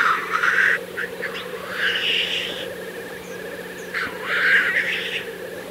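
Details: Black grouse lek, April 2024: rough hissing calls rise and fall over a continuous low bubbling background, with a thin whistled line between bursts.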